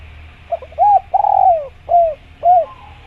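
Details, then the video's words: Spotted dove in jungle surroundings giving one full coo phrase: a faint lead-in, an arched coo, a long rolling descending note, then two separate rounded coos about half a second apart. "Masteran Tekukur Biar Cepat Bunyi | Natural Jungle Dove Sound Effect"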